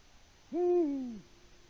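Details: A male Eurasian eagle-owl hoots from a Latvian nest camera on the evening of 6 March 2019, calling for a female who does not reply; one low, resonant note about three quarters of a second long that slides downward.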